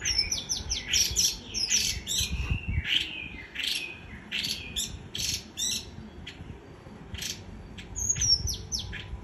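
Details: Energetic white-eye líu choè song: dense chattering bursts interleaved with thin high whistles and downslurred notes, coming in pulses every second or so, over a low hum.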